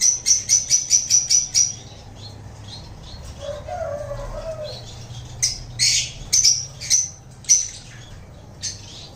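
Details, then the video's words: Lovebirds give a quick burst of about eight shrill, high chirps, then a pause before more scattered sharp chirps, with a faint murmur in the background. "Love Birds Chirping sound"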